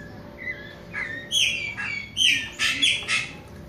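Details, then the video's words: Chopi blackbird in captivity rehearsing its song: clear whistled notes building into loud, harsh chattering bursts repeated in quick succession, with a constant low mechanical hum underneath. "SABIÁ POCA ENSSAIANDO CATEGORIA DE CANTO !"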